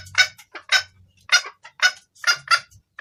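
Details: Female red junglefowl calling to the male, a clear call used to lure males: about seven harsh, broadband clucking notes over three seconds, spaced unevenly, with a faint low hum in the background.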